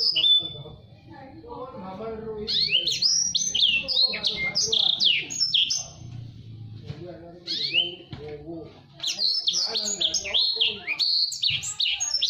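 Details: A blackthroat (Black-throated Seedeater) x canary hybrid, a blacksang, sings energetically in fast, dense bursts of high sweeping whistles and rapid trills, nearly nonstop with brief pauses. The recording is used as a tutor song for canaries.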